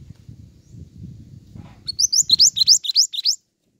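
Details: Pied triller singing actively, recorded as lure and tutor audio for songbirds: after a low rumble, a quick run of about eight bright, rising, slurred whistles, evenly spaced and loud.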